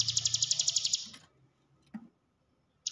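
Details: Hill prinia used as a lure to stimulate caged birds to sing: a fast, high, buzzy trill of evenly pulsed notes lasting about a second, then quiet with a brief low knock and the trill starting again.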